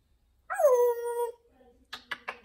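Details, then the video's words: Pet talking parrot, a female adopted a couple of months earlier and kept indoors: one drawn-out, nasal whine that starts higher, slides down, then holds steady for under a second, followed by several sharp, rapid clicks. "Parrots Talking Funny Videos"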